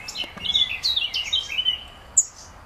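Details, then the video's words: A young black redstart calling for its mother gives a rapid run of thin, high chirps and squeaky notes for about two seconds, then one sharp high note; faint background hiss. "Mami.......wo bist du?"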